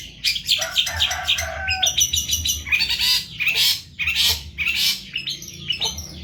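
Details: Long-tailed shrike, locally cendet, in Indonesia, singing heavily for a tutor recording. Harsh, squawking, buzzy phrases with noisy broadband bursts and some lower rasping notes come in irregular clusters roughly every half second.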